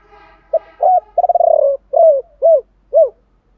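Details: Chiêu ba hậu song of spotted doves, male and female, used for prompting other doves to sing; a brief lead note, rapid pulsing roll, long descending coo and three separate rounded hoots.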